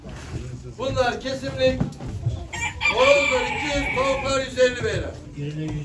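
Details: Chickens at a poultry auction in Ankara, 2023: repeated rooster crows, each a drawn-out harmonic call held about a second and rising then falling at the end, several in a row, over men talking and auction chatter.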